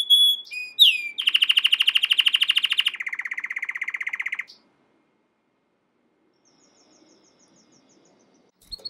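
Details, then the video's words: American Singer canary, training song: quick whistled slurs, then a loud fast trill that steps down into a lower rolling trill and stops abruptly, followed by near silence with faint high notes. "american singer canary training song"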